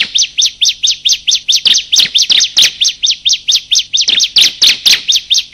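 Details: Lure calls of male and female bar-winged prinia: a steady, unbroken series of clipped, arched chirps, a little over two per second, for the whole stretch, with some louder overlapping notes.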